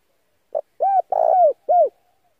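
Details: One cooing series from a male spotted dove used to call in wild doves: quick first note, arched second, long wavering descending third, arched fourth, low-pitched and clear.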